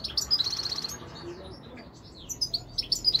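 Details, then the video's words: European goldfinch giving a rapid, tinkling series of high, clear notes, a short pause, then another bright twittering phrase with quick rising and falling chirps. "تغريد طائر الحسون الملكي 2021 / jilguero chant chardonneret"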